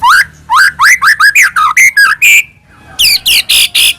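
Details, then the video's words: Singing White-rumped shama, played as a lure to make another shama sing; rapid rising whistled slurs repeated in quick succession, a brief pause, then a few harsh, buzzy high notes. "murai batu gacor AMPUH buat PANCINGAN murai batu agar bunyi JADIKAN burung murai gacor EMOSI NYAUT"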